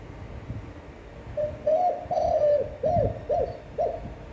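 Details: Spotted dove with an attractive, long-breathed voice, used to rouse decoy birds: a faint lead note, two stretched hoots, then three short arched coos evenly spaced about half a second apart.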